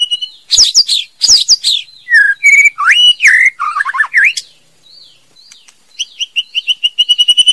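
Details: Loud, complex song from a female white-rumped shama: rich rising and falling whistled phrases and buzzy notes, then a brief quiet gap before a series of repeated notes that speed up.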